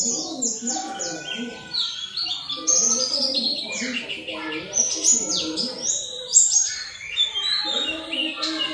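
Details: High, thin chattering of an oriental white-eye in 'ngalas' style, played to stimulate kept birds into full song, with overlapping quick upward and downward whistled notes and a murmuring lower background.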